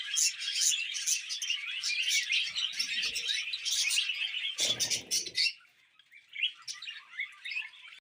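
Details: Several happy pet budgies twittering and warbling as they eat vegetables, busy high chirps running steadily, then a brief pause and sparse chirps at the end.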